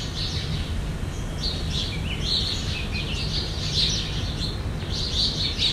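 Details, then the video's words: Jandaya parakeets (Aratinga jandaya), a Brazilian species, give harsh, scratchy screeches almost without pause, overlapping as if from several birds, over a steady low rumble. "JANDAIA VERDADEIRA"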